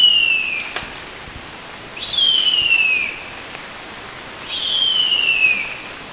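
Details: A female harpy eagle calling for her mate gives three thin, high, drawn-out wails, each sliding downward for about a second and spaced a couple of seconds apart, over a quiet background.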